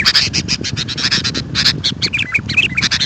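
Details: Sooty-headed bulbul, sound for calling wild birds: dense rasping chatter of rapid buzzy bursts over low background rumble, mixed later with short clear whistled notes.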